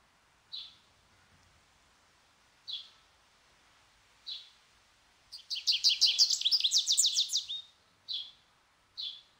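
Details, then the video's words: Goldfinch: single short high chirps spaced about two seconds apart, with a burst of rapid, tinkling, buzzy twittering lasting over two seconds in the middle. Quiet background. "Goldfinch Bird Sounds"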